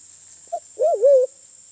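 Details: Sulawesi black pigeon lure call, a species endemic to Sulawesi: one brief low hoot, then a sustained wavering hoot that dips and recovers before fading. A faint steady electronic whine is present throughout.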